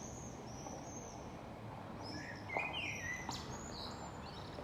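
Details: Summer yard chorus at morning or evening: thin, high whistles from several birds, a brief louder warbled phrase near the middle, and faint distant notes over constant low background noise.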